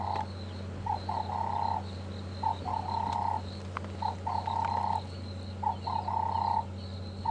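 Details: Two Cape turtle doves calling from right above the vehicle, out of sight, after a safari drive on January 14, 2015. Mid-pitched, slightly rough notes in short runs of about three, each phrase repeated every second or so, over a steady low engine hum.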